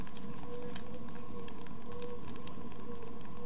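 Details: Young tits in a nest box during their first two weeks, a dense stream of thin, high, overlapping peeps from several chicks over a constant low hum.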